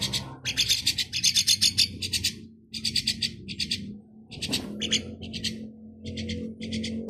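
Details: Hungry four-week-old chicks during hand-feeding, giving rapid rasping begging calls in pulsed bursts, several per second, with rustling and a faint low hum behind.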